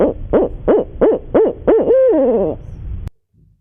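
An owl gives six quick, mellow hoots, each rising and falling, about three a second, then one longer drawn-out note before the sound cuts off abruptly.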